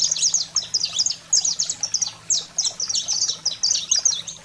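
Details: Energetic 'fogo selvagem' saffron finch song for stimulating pet canaries: dense, high, sparkling chirps delivered in quick successive bursts, loud and steady, with a faint low droning hum behind.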